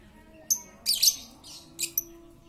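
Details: Lovebird chattering as a lure for silent lovebirds: a sharp high chip, then a rough scratchy burst and two quick chirps within a couple of seconds.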